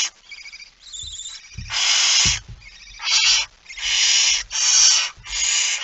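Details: Barn owl with a mouse, 17 September 2019, 06:11: a string of harsh, noisy screeches, each roughly half a second long, with a few low knocks and scuffles underneath.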